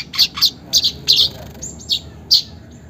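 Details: Short, sharp, high chirps from a weaver, played to prompt caged birds to start singing, given singly and in quick pairs with brief pauses between, plus one thin whistled note near the middle.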